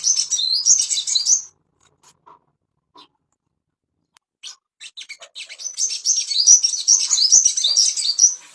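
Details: Ashy tailorbird master song to bring birds into breeding condition: an opening high, fast warble, a gap with sparse soft chips, then a long rising, rapid run of shrill whistled notes.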